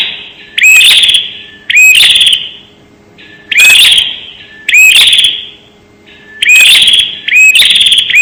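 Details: Bar-winged prinia calls played as a lure, loud and distorted: six emphatic bursts of rising, scratchy chirps, repeated roughly every one to one and a half seconds.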